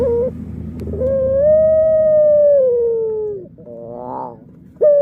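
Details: Puter pelung dove delivering one very long, pure coo that rises gently and then slowly falls over more than two seconds, followed by a rolling quavering phrase.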